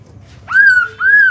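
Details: Caged Black-throated laughingthrush singing to stimulate newly caught birds to sing: two clear, sustained whistled notes, the first rising then gently falling, the second arching, in a quiet room.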